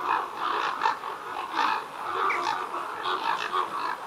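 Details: Chorus from a communal roost of more than 200 common ravens, with boosted audio: steady overlapping hoarse croaks and grating calls pulse constantly, with short louder bursts rising above the din.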